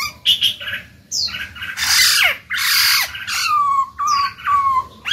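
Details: Caged Black-throated laughingthrush song meant to stimulate other birds to sing, mixing loud harsh rasping bursts with clear downslurred whistles and short fluted notes.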